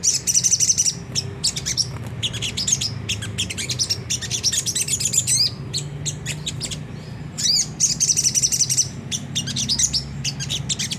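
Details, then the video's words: Sunda whistling thrush giving a rough twittering song, known as ngriwik kasar, used as a lure to get caged birds singing; rapid high chirps in dense bursts with short gaps, over a steady low hum. "pancingan jernih suara sogon ngriwik kasar nembak gacor"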